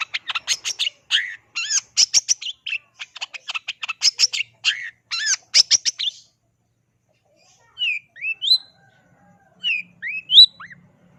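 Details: Long-tailed shrike pouring out a fast run of buzzy, chattering notes and whistled slurs for six seconds, then falling quiet before giving a few separate thin upslurred whistles; faint low hum near the end.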